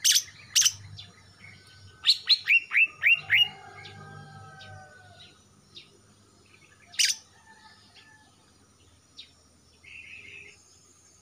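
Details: Greater green leafbird, a young male from Kalimantan just out of spotted plumage, throat blackening, singing often. Sharp opening chips lead into a quick series of about six falling whistled notes, then sparse clicks and a soft buzzy phrase.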